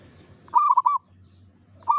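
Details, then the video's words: Perkutut lokal, a local zebra dove, sings one rolling phrase of four quick cooing notes, and the next phrase begins just as the clip ends. Low background hum. "perkutut lokal gacor suara asli"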